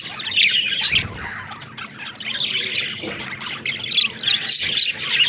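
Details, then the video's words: Pet talking budgies warble in bursts of high chirps and squawks, with a short lull mid-way before the chatter resumes. Faint clicks are heard too. "Funny Talking Budgies"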